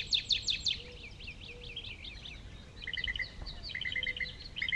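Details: Northern cardinal (Cardinalis cardinalis), song, given as a native bird of the area: a quick burst of bright down-slurred notes, then two runs of evenly spaced clear whistles over a faint low hum.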